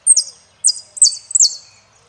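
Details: Saffron finch, El peregrino song style: three or four high ringing phrases, each a sharp note sliding down into a buzzy tail, in quick succession.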